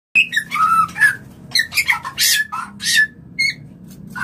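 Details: White-rumped shama song used as a daily lure to raise breeding condition for mating. Loud, varied whistled phrases: clear sliding notes and short bursts with brief pauses between them.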